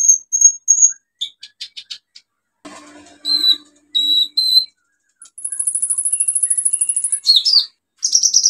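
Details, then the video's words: Olive-backed sunbird singing hard ('gacor'), a lure for silent birds: scattered high whistles and chips, a brief scratchy burst, then a long fast shrill trill and squeaky sliding notes. "KOLIBRI NINJA SUPER GACOR NEMBAK ISIAN BUAT TERAPI PANCINGAN KOLIBRI NINJA MACET BUNYI"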